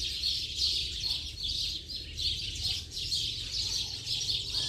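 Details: A flock of house sparrows at day's end producing a noisy chorus of piercing chirps in loose surging waves, above a continuous deep hum.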